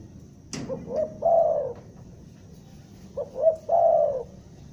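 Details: A spotted dove from Bandung used as a trapping lure, stuttering style: two phrases of short hesitant coos and a long mellow coo, opened by a sharp click.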